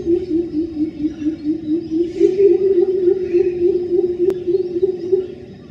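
A greater coucal gives a long series of deep, hollow hoots, about three or four a second and steady in pitch. A single sharp click and faint background birds are also heard.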